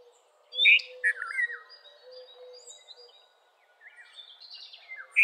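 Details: Red-vented bulbul giving a few bright, slurred chirping notes near the start and a sharp note at the end, with thin high whistles from other birds and a soft low hooting in the background.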